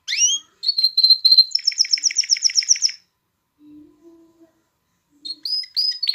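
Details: Song of a canary meant to stimulate hens to breed and chicks to sing; two quick up-slurred calls, a held whistle, a rapid bright chirping trill, silence, then short sweeping whistles.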